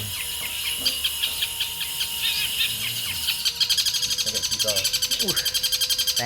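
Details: Champion competition long-tailed shrike delivering 'tengkek buto' volleys: scattered high chirps give way to a fast, steady, rattling series of sharp notes about four per second, with men talking nearby.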